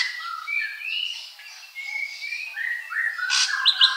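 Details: Ashy drongo singing a varied string of smooth whistled phrases at several pitches, some rising, some level, with a brief harsh burst and a few quick high clipped notes near the end.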